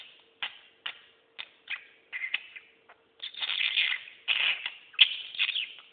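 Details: A pet budgerigar that talks chatters in quick, scratchy bursts and clicks that run together into longer warbling, rasping phrases, over a faint steady low hum.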